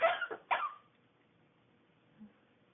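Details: Pet bird sneezing indoors, as its owner jokingly asks whether it has a cold: a rapid pair of harsh, noisy bursts, then quiet with a faint soft sound near the end.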